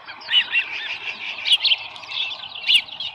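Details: Osprey on the nest with a small live fish, July 2018, just after 7 AM; a few hoarse, high squealing chirps with gaps between them.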